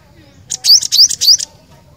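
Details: Cinereous tit, described as a lively, persistent singer, giving a brief phrase of three or four high, sharp rising notes, each paired with a piercing upper element, in a rapid burst with faint background hum.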